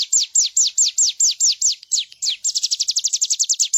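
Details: High-pitched bar-winged prinia song, meant as a training master for other birds: a steady string of sharp descending notes. A brief break follows, then a quicker rattling series of short down-slurred notes.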